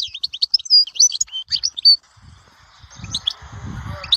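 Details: European goldfinch from Souk Ahras's Dahwara sector giving about two seconds of high, clipped twittering chirps, followed by background hiss and low rumbling with a couple of faint notes.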